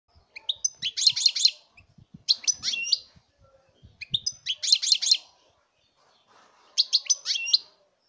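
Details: European goldfinch song recorded in 2019: four quick bursts of bright, tinkling twitters and liquid trills, high-pitched and jangling, with short pauses between phrases.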